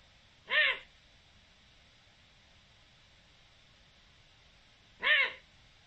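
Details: Eurasian eagle-owl recorded on 7 October 2020: two short, harmonic-rich calls about four and a half seconds apart, each arching up then down, over a quiet, steady background hiss.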